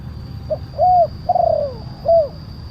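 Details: Tekukur (spotted dove) lure phrase: a quiet pip, a level coo, a rolling descending coo and a rounded last coo within under three seconds, low hum behind.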